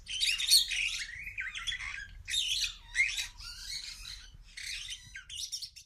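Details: Superb starling in a zoo aviary set on a kopje, singing a noisy, varied song: bursts of harsh chatter mixed with whistled and squeaky notes, in about six phrases separated by short pauses.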